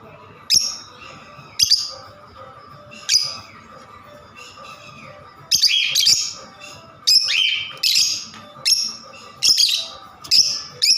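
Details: Lovebirds calling: sharp, high, shrill chirps and squawks in short bursts, first spaced about a second apart, then tighter clusters of repeated screechy notes; a steady faint hum underneath.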